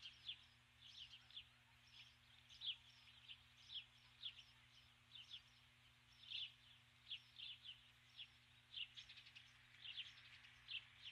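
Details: Female osprey lingering on the nest at dusk after bringing a stick, calling for her mate in vain; long run of evenly spaced high chirping notes, roughly one per second, with a low hum beneath.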